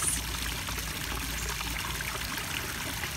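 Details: Steady pouring and trickling of a stream fills the recording, with no animal voice heard.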